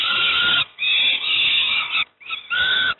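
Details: Harsh, buzzy screeching from peregrine falcon young fed breakfast at Moszna, Pruszków, Poland, given in three drawn-out rasping bursts.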